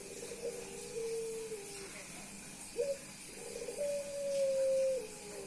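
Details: Displaying male Puter Pelung dove meeting a female and cooing continuously: a descending drawn-out coo, a short sharp rising note, then a burbling run into a long steady tone that falls away at the end.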